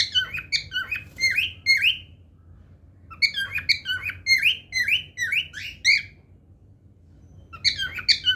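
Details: Cockatiel singing: bursts of rapid chirpy, squeaky notes with rising whistled slurs, a phrase of about two seconds, a pause, a longer run of rising chirps, then another short burst at the end.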